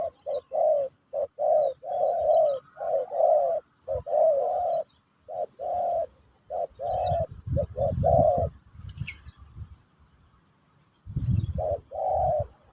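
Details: Pesom/Kacuk style Spotted dove song used to teach a new bird: a long, fast run of low hollow coos in quick succession, then a pause with soft background rumble, then two more coos.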